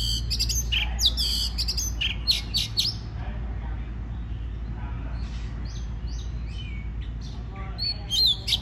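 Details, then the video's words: Oriental magpie-robin song for prompting other birds to sing: harsh rasping bursts at the start, then softer whistled slurs and short notes, with a constant low hum underneath. "Choè than hót kích bổi nghe là hót"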